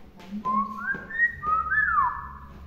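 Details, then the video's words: Tame hill myna, let loose after a bath, imitating sounds it has heard: clear whistled notes that slide up and down, with long level tones and a falling glide over about two seconds, in a small room. "BURUNG BEO PINTAR NGOMONG‼️"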